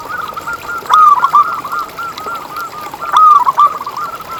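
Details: Zebra dove of local stock singing hard, used to make other zebra doves sing: a steady stream of soft, arched coos, broken twice by louder, fast, tumbling phrases.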